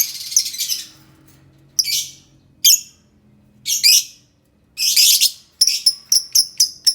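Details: Lovebird chattering loudly with high, harsh buzzy bursts and squeaky chirps, ending in a quick run of five sharp repeated chip notes, played to coax quiet lovebirds into singing.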